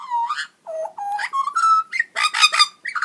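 A magpie gives a run of odd, robot-like notes: nasal, harmonic toots and whistles that jump between low and higher pitches in quick, uneven bursts.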